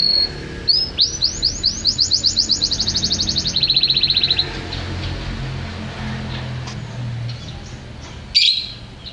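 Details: Champion canary rolling out a fast, even trill of rising notes for about three seconds, switching to a lower, buzzier rapid trill, then quiet with a single sharp burst near the end.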